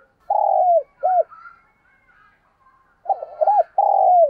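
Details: Decoy spotted dove cooing to draw in wild doves. Deep, mellow coos include a long sliding note and short hooked notes, split by a pause that holds faint distant sounds.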